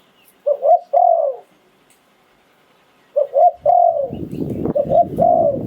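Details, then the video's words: Spotted dove decoy bird in Thailand, singing in the 'sai phon liu tan' style: low coos in two phrases, each with two short notes and then a long, drawn-out, falling coo, with a rustling noise near the end. "เสียงนกต่อดิน 2022 สายโผน หลิ่วตัน"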